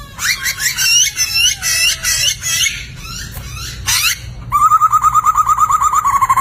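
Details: Poksay laughingthrush singing energetically, used as master song for training songbirds: harsh, rapid rising squeaky notes in quick bursts, then a fast run of about fifteen evenly repeated whistled notes at the close.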